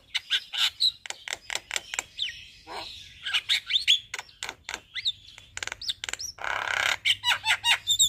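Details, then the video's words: Javan myna singing its full repertoire in daytime in front of a house, with evenly spaced sharp chips, squeaky upslurred whistles, and a harsh noisy rasp near the end. "Suara Burung Jalak Kebo GAcor Bongkar Isian Siang Hari Di Depan Rumah"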